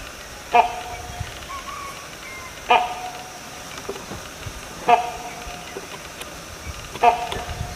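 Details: Great hornbill uttering four short, hoarse, bark-like calls, spaced about two seconds apart, each a sudden loud honk fading quickly, against steady faint hiss.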